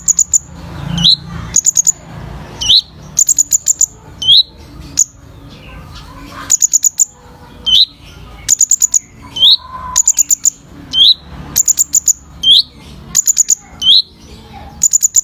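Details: Sunbird singing for bird training: clusters of very high, thin tinkling notes, each group followed by a quick downward slur, repeated roughly every second with short gaps between bursts.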